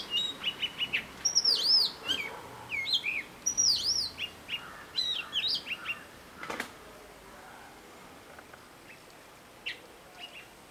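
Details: Robin singing a new tune: fast series of high looping whistles, chirps and twittering notes, about three per second, loud at first, then fading to scattered faint notes with a brief rustle midway.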